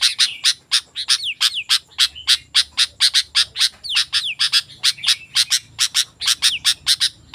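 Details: Sooty-headed bulbul in vigorous nonstop song, used to attract wild bulbuls: dense, rapid, loud chirps about four per second, interspersed with quick descending whistled slurs throughout.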